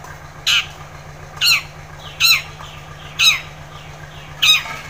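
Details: Long-tailed shrike, a bird used to coax a silent shrike into singing, giving harsh squawking notes about once a second, five rasping bursts in a row, over a steady low hum.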